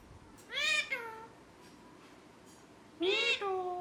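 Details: Pet rose-ringed parakeet talking: two harsh, speech-like utterances with rich overtones, each rising then trailing off in a falling tail, separated by a couple of seconds of quiet.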